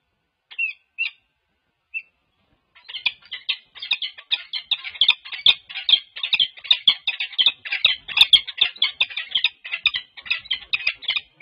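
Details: Wild peregrine falcon pair at UC Berkeley, California, on 14 February 2024, courting with bill-touching on a nest cam. A few sharp notes, then a dense, rapid run of harsh, chattering calls repeated without pause.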